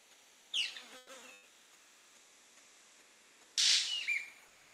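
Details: Manakin (saltarín barbiamarillo) from the western cordillera, whose males snap their wings and call at leks to draw females. A short falling call and faint rattle are followed by a loud, harsh dry snap trailing into a whistled note.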